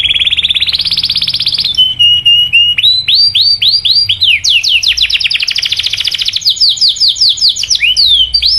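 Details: Canary 'cuit cuit' lure song to excite other canaries into singing: a rising buzzy roll, a steady whistle, a run of looping upswept chirps, then a fast high roll and final swoops, loud and clean.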